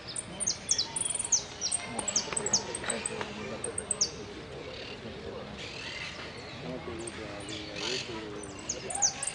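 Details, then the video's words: Caged hooded siskin at a singing competition in Quilmes, 2 December 2017, placing third in the sin cierre song category; sharp high whistled notes and short descending chips in bursts, over steady crowd chatter and other birds. "3er puesto en amarillo sin cierre"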